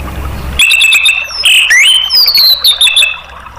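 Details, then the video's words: Orange-headed thrush singing to stimulate caged birds: after a half-second hum, a loud run of ringing, sustained whistles, some sliding up or down, with rapid chips between them. "TERAPI ANIS MERAH bikin ikut NGEPLONG"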